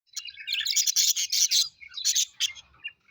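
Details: Pet budgerigars, described as happy, chirping. Bursts of scratchy, buzzy chatter and sharp chirps come in short clusters separated by brief pauses.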